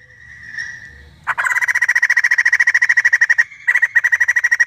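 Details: Screaming female white-crested laughingthrush: a sustained tone, then a sudden burst of loud rapid harsh pulses repeated steadily, briefly breaking before a second pulsed run.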